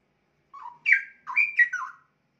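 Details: Caged young straw-headed bulbul, roughly a year old and singing readily: a bubbling, liquid warbled phrase of rich whistled notes that jump up and down in pitch, lasting about one and a half seconds.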